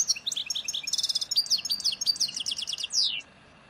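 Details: European goldfinch, 'nature' song type of Souk Ahras (Taghast), Algeria, associated with Ain Dalia dam, Djnane Bouecha and Firmet Djoudi, 1995: dense high twittering with a buzzy trill, ending in a falling slurred note before quiet background noise.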